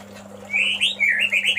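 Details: Male White-rumped shama calling a female, giving a quick series of bright, upward-sweeping whistles in rapid succession, with a constant low hum behind.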